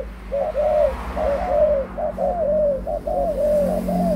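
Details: An adult spotted dove gives a run of mellow cooing phrases, a short note leading into a longer descending coo, repeated roughly every second against a quiet low background hum.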